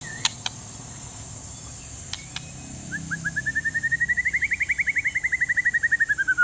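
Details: One-year-old white-rumped shama of Aceh forest stock, singing to prompt lazy shamas to sing: after a near-silent start with a few clicks, a long rapid series of short notes steadily rising then falling, about four per second, over faint background hum.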